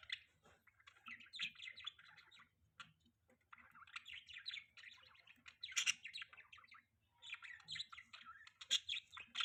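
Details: Pet budgerigars chirping in the morning during mating season; dense bursts of busy, scratchy warbling chatter in clustered phrases with brief pauses, several sharp squeaky notes, and a faint low steady hum beneath.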